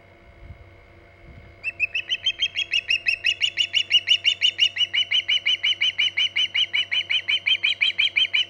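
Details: Hog Island osprey at the nest, mid-morning 14 August 2019 (about 11:45 am EDT): after a brief low thump, insistent high whistled chirps start and repeat roughly three times a second, strengthening and continuing steadily over electrical hum.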